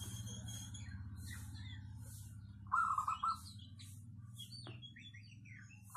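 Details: Local zebra dove whose voice is described as crystal-clear and dense, suitable for luring. A single bubbly, stuttering coo phrase mid-clip, with scattered high chirps and whistles of other birds and a low hum.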